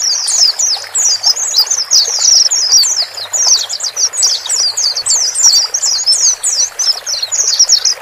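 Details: White-eyes, male and female, calling to help a freshly bought bird settle alone in a new cage; long dense chattering song of high twittering notes, rapid and jumbled, running continuously for eight seconds.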